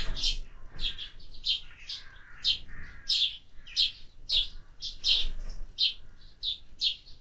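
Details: Repeated sharp sparrow chirps, roughly two or three a second, with a few softer lower notes in between and a little murmuring background noise.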